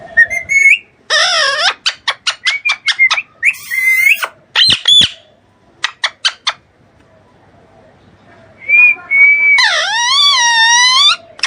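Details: Young Alexandrine parakeet mixing clear whistled notes with a fast series of sharp clicky calls, a silent stretch, then a long, loud, harsh wavering squawk.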